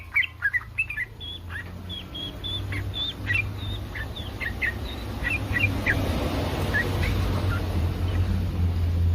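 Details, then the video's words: Yellow-vented bulbul in breeding condition making a mating call to stir other bulbuls into answering: short clipped chirps and whistled notes over several seconds, fading as a steady broadband noise swells. "SUARA BURUNG TRUCUKAN BIRAHI 100% BURUNG TRUCUKAN LAIN AKAN RESPON"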